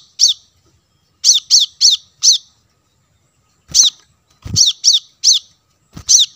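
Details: Plain-throated sunbird sounds meant to lure wild birds: a single high chip, a run of four, then more sharp arched notes, with occasional low thumps.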